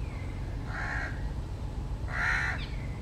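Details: Jungle babbler seen at close range: two harsh, nasal, buzzy calls about a second and a half apart, each rich in overtones, over a low steady background rumble.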